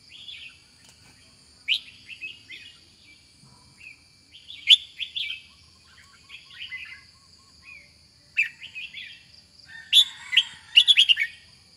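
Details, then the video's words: Red-whiskered bulbul singing scattered warbling phrases, ending in a loud, rapid, chattering burst of sharp notes. A steady high-pitched whine runs throughout. "Chào mào đẹp, mào lân, họng bò, to chim, dài đòn | Red-whiskered Bulbul | นกปรอดหัวโขน"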